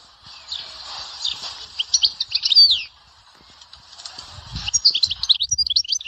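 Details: Goldfinch from Souk Ahras singing the Dahwara sector style: short bursts of quick twittering with a descending buzzy note near 2.5 seconds, a quiet pause, then renewed rapid chirping phrases, over low hum and faint thumps.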